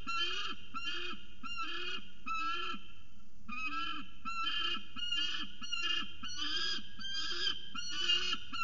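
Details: Peregrine falcon calling at CSU Orange on 17 February 2019: harsh, rasping notes with a rich tone, delivered in a steady rapid series of about one and a half per second for nearly nine seconds, with no other clear sounds.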